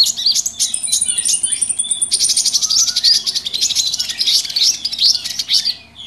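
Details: Mixed small birds calling noisily, a lure recording for trapping: busy overlapping high twitters and buzzy chirps, a long thin high whistle in the first two seconds, then a dense chattering wall of notes.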